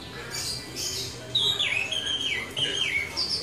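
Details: Orange-headed thrush singing its rolling ngeroll song, with soft high notes first, then clear descending whistled slurs that repeat in quick succession over steady background noise.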